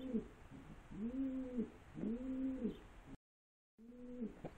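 Pigeons give deep, soft, rolling coos, each swelling then fading, repeated roughly every second with a brief silent break.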